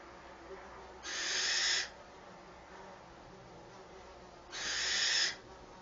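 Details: Wren chicks in a nest at the entrance of a birds' moulting mews, being fed by their mother; two harsh, breathy hissing bursts of under a second each, several seconds apart, in a quiet setting.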